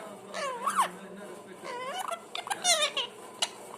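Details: A pet parrot making different sounds: a few harmonic, speech-like notes that sweep up and down, with short gaps and a sharper high note near the end.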